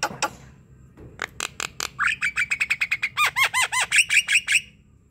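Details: Javan myna in strong song to encourage an idle myna: a few harsh notes, then a fast repeated chain of ringing whistled notes, some swooping down, delivered about four per second.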